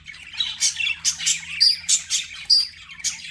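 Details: Pet budgerigar chatter with distinct sharp chirps about once a second, including a couple of clear thin whistled notes among the scratchy squawks.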